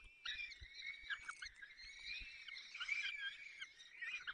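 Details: Peregrine falcon nest in the Barycz Valley, 30 April 2020, afternoon, with the male tearing prey and feeding waking chicks. Quieter, near-continuous thin wavering calls run throughout, rising and falling slightly, with faint soft knocks beneath.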